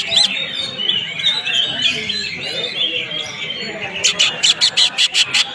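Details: Greater green leafbird singing in a masteran tutoring recording of a fighter-style bird: twittering high whistled phrases, then a fast series of about eight harsh rasping chatters in the last two seconds.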